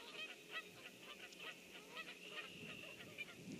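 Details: A grackle in a tree on 21 May 2014 at about 06:51 in the morning gives harsh, squeaky, honking notes, repeated every third to half second in a steady scratchy run.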